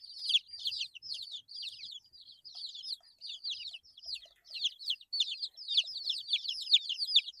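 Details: Chorus of 8-day-old baby chicks: many high, thin peeps tumbling over one another, rising to a louder, denser burst of cheeping toward the end.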